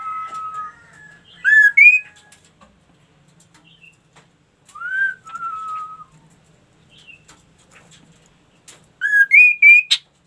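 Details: Ashy tailorbird in lively song: a level whistled note, then bursts of short rising, ringing whistles with bright overtones, a pause, another level then slurred whistle, and a final run of quick rising notes near the end.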